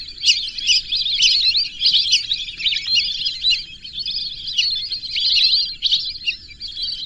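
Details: A flock-like mass of high, thin whistling from whistling ducks runs steadily throughout, with notes overlapping densely.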